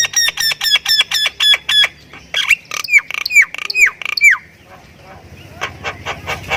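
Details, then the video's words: Javan myna from Thailand singing energetically: a fast series of repeated harmonic notes, then loud downward-sweeping whistles, ending in quick sharp clicks. "Jalak Kebo Thailand Gacor Full Isian"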